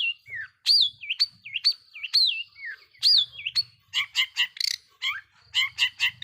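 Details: Long-tailed shrike singing a lure song meant to provoke rival shrikes: looping wavy whistles repeated about once per second, then a fast series of harsh, chattering notes, over a faint low hum.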